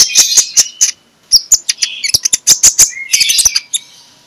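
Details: Morning lure song of a magpie-robin, 'ngeplong' style, to get lazy magpie-robins singing: high ringing whistles and crisp clicks in quick groups, a brief pause, then varied warbled and whistled phrases.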